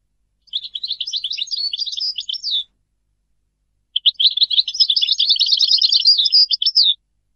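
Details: European goldfinch singing two extended phrases of rapid, liquid twittering and rattling trills, each closing with a slurred note, with a quiet gap of over a second between them.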